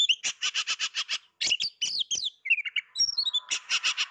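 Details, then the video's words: Oriental magpie-robin heard singing while hidden from view, in full song: bursts of rapid buzzy notes at steady intervals, broken by a run of varied whistled phrases and short trills, then the buzzy pulses return. "ngintip burung Kacer berbunyi kok dak nampak burung gacor banget"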